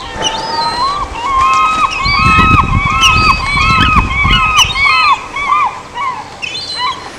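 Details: At Larsen Bay where Bald Eagles are feeding, a bald eagle gives a series of high, thin, arched whistled notes, about two per second, with low rumbling wind or handling noise underneath.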